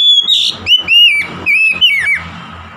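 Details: Oriental magpie-robin song of quick, ringing whistles, about six slurred notes in under three seconds. Each note bends up or down, and one harsh note sits among them.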